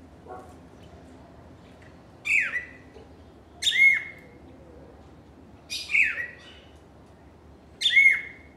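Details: Cardinal song of four loud, downward-swept phrases with buzzy endings, spaced about one and a half seconds apart over quiet background hiss.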